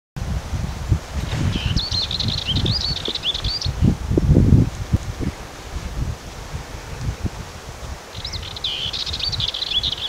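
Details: Dartford warbler on 6 June 2019 giving two short, scratchy, chattering warbles, high-pitched and rapid, over a steady low rumble of wind and rustling.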